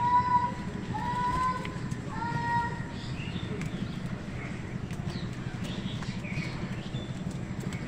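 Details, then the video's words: Crows fighting with wild birds for food: three drawn-out nasal caws in the first three seconds, followed by faint scattered chirps of other birds over a steady low rumble. "কাকের ডাক crow sound"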